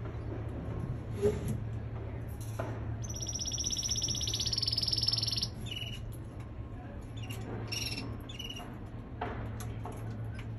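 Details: A male canary being trained to sing gives a bright, rapid rolling trill lasting over two seconds, framed by sparse high chips and notes, with a constant low-pitched hum underneath.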